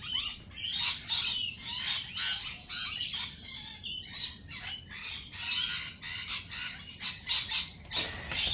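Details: A flock of lorikeets at a lorikeet cafe screeches constantly, with harsh, high, rasping squawks overlapping about once a second in a noisy chorus.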